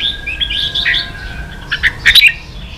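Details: Vietnamese caged red-whiskered bulbul primed for a singing fight, softer whistled notes followed by a short burst of three or four loud, sharp chirps.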